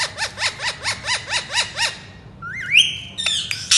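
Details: Pet Indian ringneck parakeet repeating a short arched chirp about every quarter second, eight times, then a rising whistled note and a few sharp clicks and squawks.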